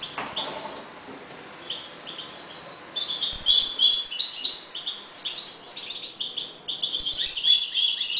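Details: Calm caged European goldfinches during breeding: quick tinkling twitters and buzzy trills, growing louder and denser midway, then ending in a bright rapid chatter.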